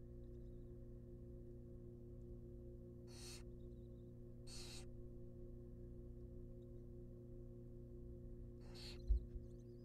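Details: Nestling barn owls, wild, in a research-monitored nest box while being fed a rabbit, give three separated hissing screeches across ten seconds. A low hum continues and there is a brief knock near the end.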